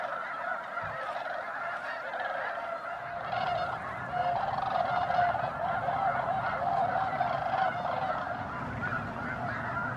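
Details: Snow geese massed at Bosque del Apache National Wildlife Refuge, December 12–13, 2009, at dawn or dusk. Rapid overlapping honking that swells louder midway, with a low rumble beneath the clamour.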